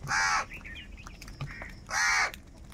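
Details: Crow cawing, said to be angry and calling for food: two loud harsh caws about a second and a half apart, with fainter caws and calls between them.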